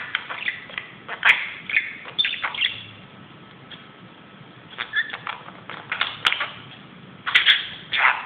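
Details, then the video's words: Budgerigar playing on a closet: bursts of sharp chirps and scratchy squeaks, a quieter pause in the middle, then louder squeaky notes near the end. "grasparkiet doet zottekes op de kast"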